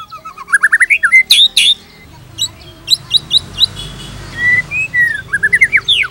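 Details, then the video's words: White-rumped shama song for tutoring other shamas. A rising run of quick whistles gives way to two loud harsh bursts, then scattered high chips and a few slurred whistles with a faint hiss behind. "PANCINGAN GACOR !! MATERI mewah cocok untuk masteran semua jenis murai | shama bird"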